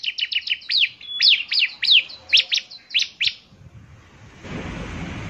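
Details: Vigorous bar-winged prinia song, a run of quick high chirps slowing into spaced, louder downslurred notes, followed by a rush of broadband noise.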